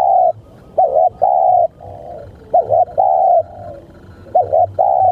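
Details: Spotted dove calling, used for luring doves: mellow low coos in repeated phrases, each a short warbled double note then a drawn-out even note, with faint quieter coos between.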